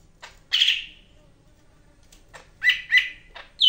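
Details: Greater green leafbird from Medan giving spaced song bursts: one harsh chattering note, a long quiet gap with faint clicks, then two more raspy bursts and a thin high whistle.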